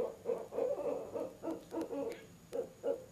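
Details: Out-of-season barred owl visit to a nest box at 7 pm in October, the mate adding its voice: quick, deep, uneven hoots tumbling over one another in a loud hoot fest.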